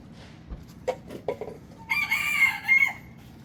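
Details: Rooster crowing on a chicken farm: a few soft clucks and knocks, then a loud drawn-out cock-a-doodle-doo lasting about a second, steady in the middle and dropping at the end, over low background hum.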